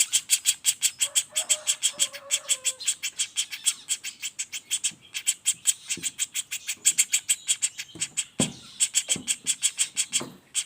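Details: Non-stop rapid call of a juvenile common flameback, used as a master for other songbirds: a long stream of raspy chips, with faint low whistles early on and a few dull knocks near the end.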